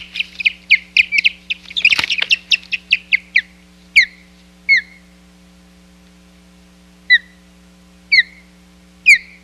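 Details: Osprey confronting an intruder at the Hog Island nest on 10 July 2021. A fast burst of shrill, whistled chirps with a brief rustle, then loud, slurred, downward chirps spaced about a second apart.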